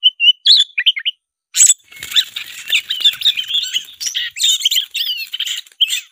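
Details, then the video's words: A black-breasted Oriental magpie-robin (kacer dada hitam) in full fighting-mode song gives a few clear whistled notes, pauses briefly, then breaks into a fast, harsh, chattering stream of high scratchy phrases. "suara kacer dada hitam gacor tarung ngobra suara menggila"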